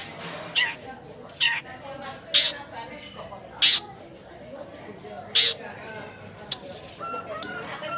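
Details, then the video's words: Long-tailed shrike song used as a lure to coax a reluctant caged bird into singing: harsh, rasping bursts spaced about one second apart, with a faint murmur of background noise between them. "PANCINGAN CENDET MALAS BUNYI"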